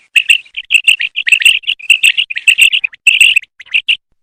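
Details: Female common quail calling, a rapid stream of short, high, chirping notes in uneven bursts of two and three, with no other sounds heard.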